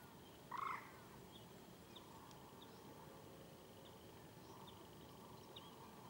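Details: A female Northern Pintail at Keoladeo National Park, Bharatpur, Rajasthan, India, gives a single short, hoarse quack over steady background hiss with faint high chirps from other birds.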